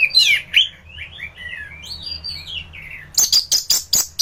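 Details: Training song of an anis thrush in peak form: a loud opening phrase, then a long series of soft, slurred whistles, followed by six or seven clipped, emphatic notes in quick succession.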